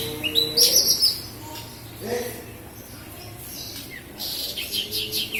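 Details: Javan bush lark from Kediri, Java, singing energetically: scratchy high chirps and short whistles in uneven clusters, with a brief low slurred note midway and a rapid run of ticking notes near the end.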